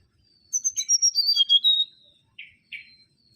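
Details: Kancilan bakau, the mangrove whistler, singing a rapid series of clear whistled notes stepping downward in pitch, ending in a sustained whistle, then two short buzzy harsh notes after a pause.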